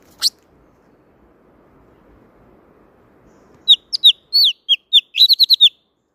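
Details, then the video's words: Blue-throated flycatcher giving its wild-type song, a quick series of high, thin downslurred whistles and short trills after a single sharp click. "Âm thanh Chuẩn Rừng tiếng Chim Thanh Tước"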